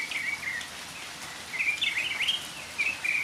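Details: Northern mockingbird singing in the rain: short, varied chirping phrases, some level and some sharply rising or falling, delivered in quick bursts over a steady hiss of rainfall.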